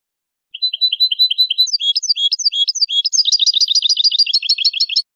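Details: European goldfinch from Casablanca, Morocco, singing a clean song of rapid, high tinkling notes, first a repeated two-note phrase, then sliding upward notes, then a dense, fast twittering trill, with no other sounds.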